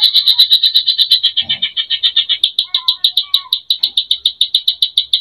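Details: Greater green leafbird singing vigorously, full of fill-in phrases to provoke emotion: a steady rapid chatter of high sharp notes, about four a second, with a few soft lower whistles woven in.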